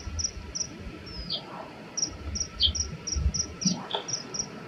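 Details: Common kingfisher males disputing territory in an aerial fight, calling in threat: evenly spaced high, thin squeaky notes, one drawn-out descending slur, with low rumbling thumps and noise underneath.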